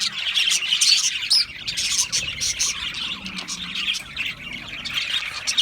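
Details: Australian parrots chirping in a dense chorus, short high notes repeated roughly twice a second amid constant warbling, with louder bursts near the start and end.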